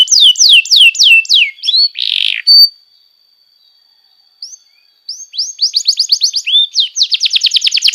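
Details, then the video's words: Canary song used to train young canaries: falling whistled notes and a harsh burst, a near-silent pause with a thin steady tone, then a rapid rolling trill of high repeated syllables. "masteran burung kenari paud"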